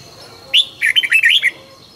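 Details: Morning song of a red-whiskered bulbul kept for song training: a lively phrase of five or six rapid, rolling warbled notes over about a second, bright and slightly buzzy, in a quiet setting.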